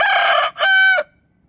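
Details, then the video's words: Rooster on a chicken farm crowing loudly, a harsh opening note followed by a short break and then a sustained, clear, strained tone that stops abruptly, with silence after. "Rooster Sound Effect"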